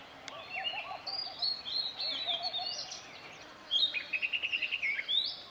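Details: Male Oriental magpie-robin singing near Satpura, Central India: varied whistled phrases, then a rapid series of about ten repeated sharp notes, with low hooting calls of another bird and background noise.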